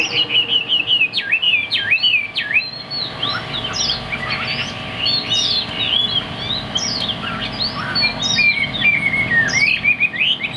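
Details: Caged Chinese hwamei, a large bird with a fig-leaf tail, singing strongly from high on its perch: long varied sequences of swooping, slurred whistles delivered nonstop.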